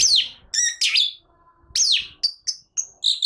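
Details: Caged long-tailed shrike in agitated song: loud downward-slurred whistles and a sharp squeal, separated by short gaps, then several brief high piping notes.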